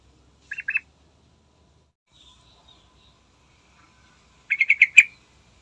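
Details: Yellow-vented bulbul singing in the morning, used as a lure to get other birds singing: a short pair of bright chattering notes, then a longer bubbly burst of rapid notes near the end, with quiet gaps between.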